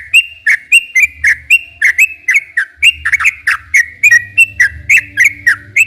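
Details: Sooty-headed bulbul in continuous, lively song, played to stir quiet or stressed captive bulbuls into calling. A fast, steady stream of liquid whistled notes, several per second, each bending up or down, over a faint low hum.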